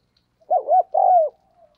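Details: Decoy spotted dove cooing to provoke wild doves, described as fiery and very eager to call: one clean, loud three-part coo, two short rounded notes followed by a longer, slightly falling note, with near silence around it.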